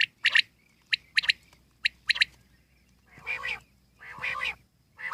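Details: Wild common quail giving sharp three-note phrases, one short note then a quick pair, repeated about once a second; later followed by harsher, broader nasal calls.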